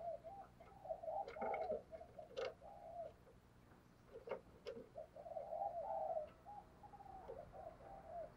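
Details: Spotted dove kept as a decoy, cooing to provoke wild birds: bursts of mellow coo notes repeated through the clip, interrupted by sharp clicks and knocks, with low background hum.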